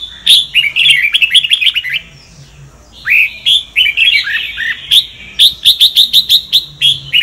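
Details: Red-whiskered bulbul, Sông Kon type, singing a training song: quick strings of crisp, evenly spaced chirps, a brief pause, then slurred descending whistles giving way to another rapid chirping series.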